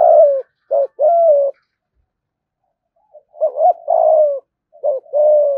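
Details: Spotted dove in 'thúc gù' coo style, used to lure rivals in to fight. Two low phrases separated by a short pause, each with a brief doubled note leading into a sustained, gently falling hoot.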